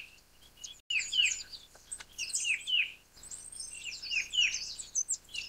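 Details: Verditer flycatcher (Eumyias thalassinus) giving a rapid, jumbled stream of high, sweet twittering notes with scratchy trills, in bursts over several seconds; little else is heard.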